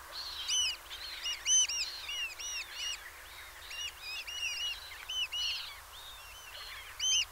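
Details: Eurasian oystercatchers recorded at Peenemünde: a busy chorus of sharp, ringing kleep-like piping notes from several birds, overlapping irregularly, with strong single notes near the start and end over a low background hiss.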